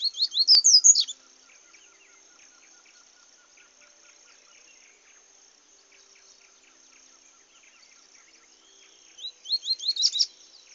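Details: Papa-capim singing in the bush: a loud burst of rapid, rising, sharp whistled notes at the start and again near the end, with a quiet background of faint high insect chirping between the bursts.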